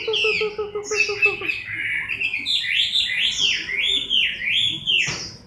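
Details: Chinese hwamei in moult, October 2015, pours out high swooping whistles in quick zigzag phrases, preceded by rapid low pulsed ticking.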